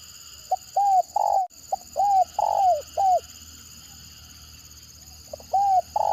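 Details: Spotted dove kept for luring, calling in the stuttering 'gagap' manner. Two rapid phrases follow each other, each made of short clipped notes, arched coos and a long falling coo. After a pause a third phrase begins. A high steady whine persists.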